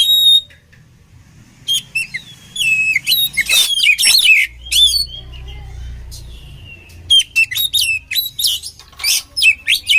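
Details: Oriental magpie-robin song for training birds: a long varied medley of clear whistles, rapid rattling bursts and sweeping notes, separated by short pauses, with faint low background rumble.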